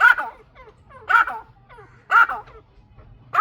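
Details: A chukar partridge pair giving loud, harsh, clucking calls about once a second. Softer, quicker notes fill the gaps between the strong bursts.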